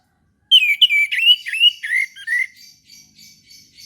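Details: Orange-headed thrush singing in the morning, a lure recording to spur reluctant caged birds to sing: a two-second tumble of rich, varied whistles and twittering notes, slurred and rapidly changing, fading into faint soft chatter.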